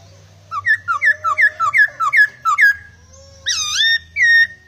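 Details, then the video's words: Laughingthrush singing actively with a varied, strange-sounding repertoire: a quick run of about ten clear two-note whistled phrases, falling then rising, followed by two longer loud slurred whistles with rich overtones. A low hum runs underneath. "Poksai gacor isian full...suara anehh"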